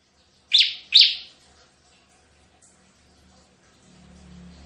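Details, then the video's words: A bar-winged prinia, a lively calling bird used for luring and as a master song, gives two loud, quick, scratchy notes half a second apart, then quiet with a faint low hum. "suara tembakan CIBLEK GACOR"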